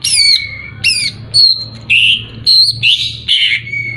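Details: Greater green leafbird song played to anger a rival bird: loud descending whistles trailing into steady tones, followed by quick squeaky and slightly buzzy phrases in rapid succession.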